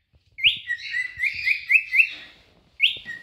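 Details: Two grown cinnamon cockatiels singing to attract a mate. Short chirped whistle notes come quickly, about four per second, then stop, and a single note follows after a pause.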